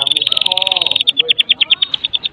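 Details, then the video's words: Rattling kretekan song from a Medan white-rumped shama, used as a lure for other shamas; a fast, even stream of sharp high notes that gradually spaces out into distinct, regularly repeated chips. "Kretekan MURAI BATU MEDAN GACOR FULL ISIAN"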